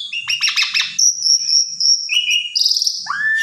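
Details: Asian pied starling song with a full repertoire, used as a lure to make another bird sing: rapid harsh rattling notes, then a long wavering high whistle, a buzzy trill and a rising slurred whistle.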